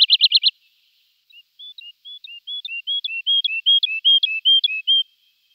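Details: Woodlark (Lullula arborea), song.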